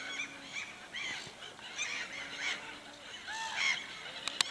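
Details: Common ravens heard from a bear-watching hide in Suomussalmi, Finland, over an evening and night: scattered hoarse, arched calls from several birds, ending with a couple of sharp knocks.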